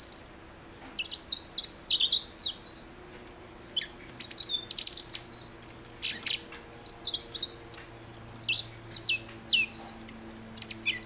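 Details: Blue-headed rock thrush pouring out a long run of high, fast chirps and whistled slides in dense clusters, several phrases in a row with short breaks and a low hum behind.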